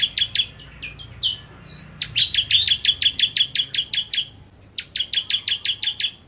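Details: Bar-winged prinia (ciblek kristal) singing 'nembak': it opens with a few varied down-slurred whistles, then a sustained run of fast, high, clipped notes, a short pause, and another rapid burst.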